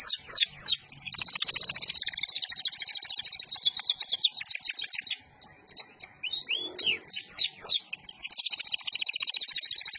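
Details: A local Indonesian canary sings loudly without pause, mixing high rapid trills, rolling buzzy tours and quick rising and falling whistled sweeps.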